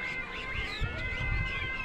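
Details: A caged songbird, said to be male, at a northwest Vietnam highland market sings faint, looping, warbled phrases despite people standing close, over a steady low rumble of market noise and a thin constant whine.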